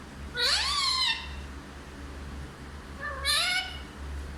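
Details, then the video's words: Talking parrot said to speak Hindi: two drawn-out, rising harmonic utterances about three seconds apart, voice-like and bright, over a constant low hum. "सबसे अच्छा हिंदी बोलने वाला तोता ll Parrot Talking"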